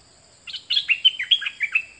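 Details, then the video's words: Dok taeng bird singing in a 2020 recording meant for teaching young birds: a lively phrase of about nine high, sharp chirps spread over one and a half seconds, otherwise quiet. "เสียงนกดอกแตงเจ้าเพชรกับเจ้ามณี เสียงใหม่ล่าสุด2020ไว้สำหรับต่อ ใช้หัดลูกนกให้ร้องตาม"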